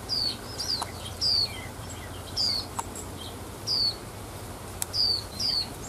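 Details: Wild female white-eye giving its male-stimulating call, brief high descending notes in quick irregular bursts, some doubled, over faint clicks and a constant low rumble.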